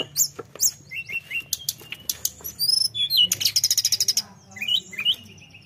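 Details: Tledekan in full voice, sung to rouse competitors, with scattered high ticks and short whistles building to a fast rattling burst of repeated notes, then a few rising, wavering whistles.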